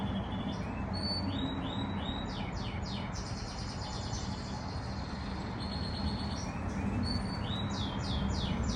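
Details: A pet canary's first singing, a soft quiet warble called riz-khani. Fast high trills and upswept notes repeat through the clip, sometimes with held whistles, over a steady low rumble like traffic.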